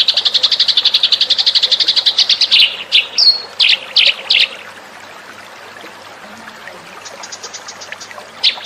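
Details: Eurasian tree sparrow lure call: a quick run of chirps, then several separate, louder slurred chirps, followed by quiet with faint high ticking and a final chirp.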